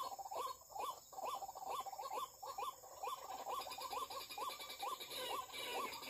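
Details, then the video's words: White-breasted waterhen calls from an MP3 used to lure birds. Quick, regular upslurred notes repeat about twice a second against a hissing, buzzy background. "Memikat ruak ruak menggunakan Mp3 dan pikat"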